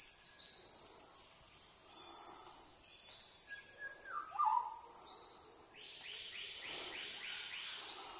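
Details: Andaman shama from South Andaman: a whistled phrase that glides down and ends in a warbled flourish, followed later by a quick series of rising chirps, all over a constant high-pitched insect hum.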